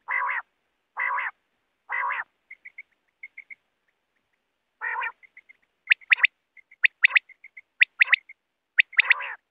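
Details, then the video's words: Quail calls played for hunting: three coarse, buzzy bursts about a second apart, soft short chirps, another buzzy burst, then a run of sharp, high snapping notes alternating with brief twitters. "Bater ki awaz Quail voice || Quail sound for hunting"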